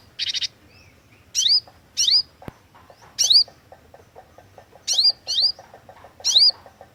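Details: Vigorous Cinereous tit (glatik watu) for luring: a short buzzy burst opens, followed by bright paired slurred whistles, high and swooping, over a faint steady ticking in the background.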